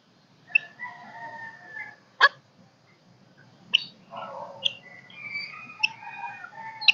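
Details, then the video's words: Caged golden-crested myna used to excite other birds and summon a flock, singing below full vigour: drawn-out whistled notes broken by sharp clicks, nasal chattering phrases between them. "Sáo Đầu Vàng Hót Kích Bổi"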